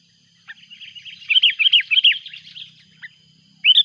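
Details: Sooty-headed bulbul calling noisily when a rival turns up, recorded as a lure: a fast chattering string of slurred, down-curving notes rising in loudness, then a pause and a sudden loud chirp, over a faint constant high hum.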